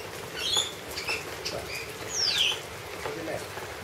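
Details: Wild lorikeets, addressed as "boys" while being hand-fed honey outdoors, give short, shrill chirps and one sharp screech that drops in pitch, over a low background murmur.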